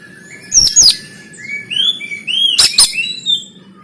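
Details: Kacer, the oriental magpie-robin, singing a fighting-style 'konslet tarung' song, recorded by Android phone in Banten: two harsh rasping bursts, then a run of clear upslurred whistles stepping across the phrase over a faint low hum.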